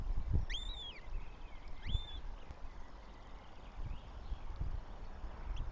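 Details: Eurasian goshawk chicks begging at a nest in Tartu, Estonia, on 9 May 2025: two thin, high, arched whistles rising then falling, close together near the start, over steady low wind rumble.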